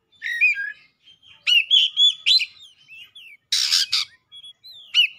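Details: Oriental magpie-robin pouring out its song: twittering whistles and slurred notes, a loud rough buzzy double burst, then a drawn-out whistle.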